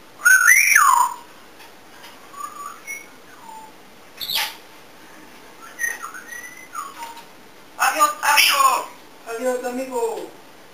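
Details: Pet African grey parrot kept indoors, which mimics many sounds, dances and sings: a loud rising-then-falling whistle, then softer short whistled notes and a sharp click, ending with a burst of harsh squawks and wavering tones.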